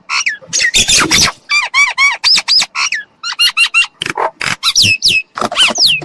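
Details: Trapping-lure recording of a myna: rapid series of harsh, rasping squawks mixed with clear rising-and-falling whistles, delivered in an almost continuous chattering stream.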